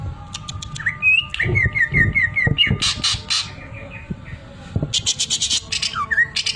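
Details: Greater green leafbird song with the 'mesin jahit' sewing-machine fill: thin ticks, a run of repeated rising slurred whistles, loud harsh bursts, then rapid clicking pulses and a final swooping whistle; faint hum behind.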